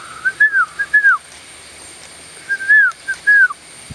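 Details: Blue-winged pitta (Pitta moluccensis), call.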